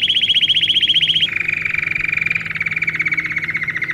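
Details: Canary singing, recorded as song for young birds in training: a bright high rolling trill gives way after about a second to a lower, slightly ragged buzzy trill that slowly descends, over a faint low hum.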